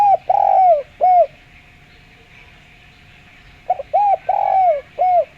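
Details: Clear spotted dove cooing for use as a lure: two phrases about three seconds apart, each a run of rounded hollow coos with one longer falling note in the middle, a thin constant hum audible between them.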